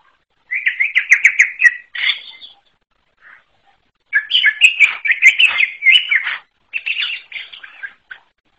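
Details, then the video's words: Unusual song of a forest greater green leafbird (cucak ijo alas): a burst of rapid chattering twitters, a pause with one faint note, then a longer tumbling sequence of quick whistles and chips ending in shorter phrases. "KICAU UNIK CUCAK IJO ALAS"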